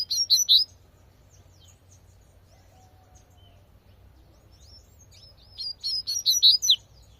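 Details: In natural surroundings a Double-collared seedeater sings tui tui twice: a quick cluster of sharp, high whistles, then a pause of about five seconds and a longer, louder run of notes.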